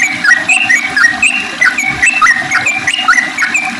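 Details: Sooty-headed bulbul singing energetically in the morning, giving a clear repeated pattern of short whistled phrases that slur up and then drop, roughly two phrases each second, over a faint low background hum.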